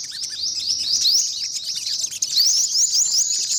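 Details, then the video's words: Olive-backed sunbird, yellow-bellied: high rising slurred notes repeated in a quick, steady series, bright and continuous. "tiếng chim hút mật 5 màu bụng vàng"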